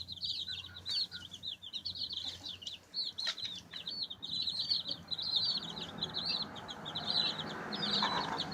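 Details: A group of baby chicks chirping while pecking and scratching, with rapid, overlapping high-pitched peeps, a few clicks, and a low hum plus rustling in the background.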